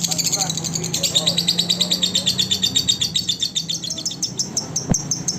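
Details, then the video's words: Lovebird song recorded as a master tutor track for other lovebirds: fast, high, scratchy chattering notes in an unbroken rapid series, fading slightly toward the end, with one sharp click near the close and a low steady hum underneath. "SUARA BURUNG LOVE BIRD COCOK UNTUK MASTERAN SEMUA BURUNG LOVE BIRD"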